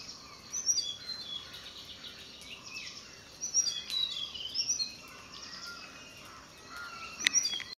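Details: Faint, high, melodious whistled notes from a Tickell's blue flycatcher come in short descending runs early on and again mid-way. A sharp click near the end stands out over constant environmental hiss.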